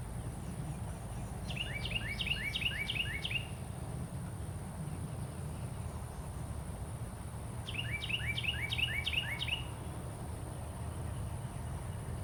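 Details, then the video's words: Carolina wren singing outdoors: two loud bouts of rapid, rolling, downslurred phrases, about six repeats each, separated by a pause of several seconds, over a steady low rumble of background noise and a faint high hiss. "Carolina Wren Calling"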